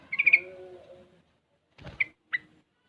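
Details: Sooty-headed bulbul aged six months, learning ropel and garuda styles, gives a fast buzzy trill of four pulses trailing into soft warbling, then two isolated clipped notes.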